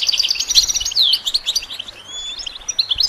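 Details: Goldfinch song for songbird training: busy high chattering twitters with a sharp downward-slurred whistle, followed by quieter, thin, drawn-out whistled notes.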